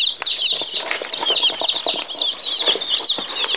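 A brood of Sussex chicks, six days old, peeping nonstop. Shrill, arching cheeps overlap densely, several each second, with soft rustling underneath.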